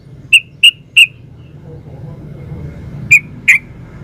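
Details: Yellow-vented bulbul, described as a lively 'ropel uplik' singer: three clipped whistled notes in quick succession, a silent gap of two seconds, then two more notes over a low background hum.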